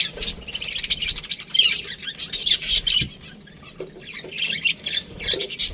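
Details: Budgerigars in an aviary chattering steadily, a busy mix of scratchy warbles and sharp chirps from several birds, briefly quieter midway before resuming.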